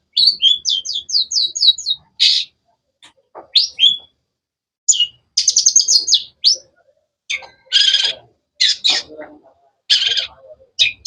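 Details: Long-tailed shrike (cendet) singing a sharp, varied sequence: a quick run of about eight rising high chirps, then harsh buzzy bursts and short whistles separated by brief pauses.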